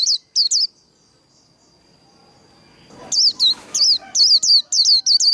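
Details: Japanese white-eye singing in a contest-style song display: rapid bursts of high, twisting whistled notes, a short pair at the start, then a long quiet stretch with a faint steady tone, then a fast run of repeated slurred phrases.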